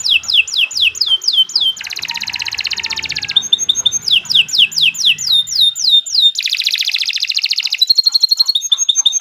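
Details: Canary singing steadily for bird training: strings of high downward-slurred whistles repeated about four per second, interrupted by dense buzzy rattles and fast trills, varied phrases in quick succession.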